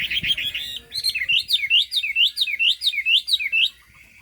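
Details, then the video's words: Chinese hwamei, turmeric bill and fig-leaf tail, in cao cầu song: a quick jumble of notes, then a neat sequence of about eight repeated dipping whistles, each roughly a third of a second apart. "Họa mi hót cao cầu"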